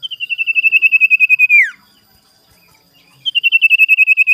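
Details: Sirtu singing energetically in the morning, used as a lure to provoke rivals: a fast series of about fifteen high, evenly spaced pulsed notes that slide down at the end, a pause, then the series starts again.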